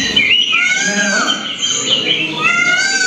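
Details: Red-whiskered Bulbul from Belgaum, heard in a school birding lesson: rich warbling whistled phrases, rising and falling, in quick sequence with brief pauses between bursts.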